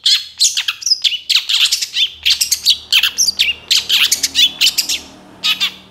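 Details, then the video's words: Moulting young long-tailed shrike giving a full varied song for use as a lure: quick jumbled chirps and scratchy whistled notes in dense phrases, a short pause, then a final burst, faint low hum. "MASTERAN CENDET MABUNG MUDA GACOR FULL ISIAN 100% AMPUH BUAT PANCINGAN"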